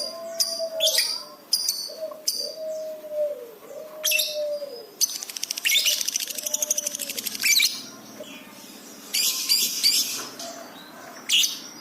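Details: Lovebird chattering in a masteran recording for training caged birds: repeated arched whistled notes, high sharp chips, and a rapid buzzy rattle in the middle, with further noisy bursts later.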